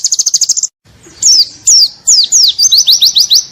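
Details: White-eye singing continuously in the ngalas style as a tutor recording: a brief rapid chattering trill, a short pause, then a run of loud, downward-slurred high whistles coming faster toward the end.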